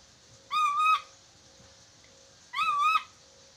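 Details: Training recording to make chattering lories speak quickly: two loud, nasal, harmonic squawks, each about half a second long and level in pitch, about two seconds apart, with a low hum between them.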